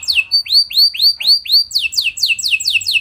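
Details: Canary song intended to make other canaries reply; a few rising-then-falling whistled arcs repeated evenly, then a faster run of sharp descending high notes.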